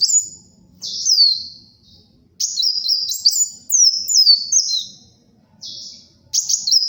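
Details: High-pitched sunbird song for luring and tutoring birds: a series of shrill, sliding whistled phrases, some stepping up and down in pitch, delivered in bursts with short gaps.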